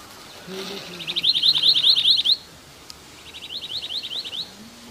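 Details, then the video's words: Two bursts of fast, high, upward-flicking whistles from a singing long-tailed minivet in Kashmir forest, the first louder, the second softer after a short pause; a faint low tone sounds beneath. "long tailed minivet singing in Kashmir"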